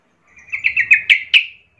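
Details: Sooty-headed bulbul, a young forest bird, with a short run of six quick bright chirps rising slightly in loudness, sung to train young birds.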